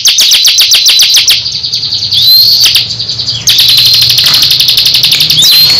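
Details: Captive crescent-chested babbler singing against a rival: rapid machine-gun bursts of high clicks, a pause filled with soft rising whistles, then another long fast rattling series.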